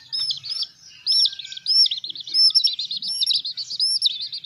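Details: Young hen chicks under care peep loudly: arched, whistled notes that rise and fall, some in quick wavering runs, others spaced about half a second apart.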